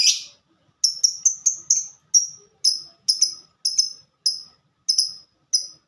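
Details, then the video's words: Ngetik, or typing, song of a lovebird called a fighter: one harsh opening note, then clean, sharp, high ticks repeated about every half second, quickening briefly near the start, with nothing else audible. "Burung Lovebird Suara Ngetik Dan Sama² Fighter"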